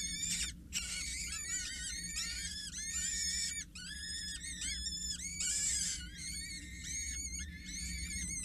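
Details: Peregrine falcon chicks aged 6-8 days, four together, being fed by a parent at the Scheveningen water tower on 8 May 2023: intense, shrill overlapping squealing in long bursts, brief gaps between, faint low hum below.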